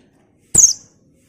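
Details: Single sharp, high, thin note dropping quickly in pitch, given by a female buxtoni white-eye, a call used as a lure to make untrained white-eyes sing; otherwise quiet.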